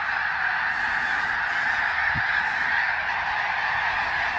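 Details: Greater snow geese cross the sky above Ottawa, Canada, on fall 2021 migration. A massive flock makes a continuous blur of honking, and one brief low thump is heard midway.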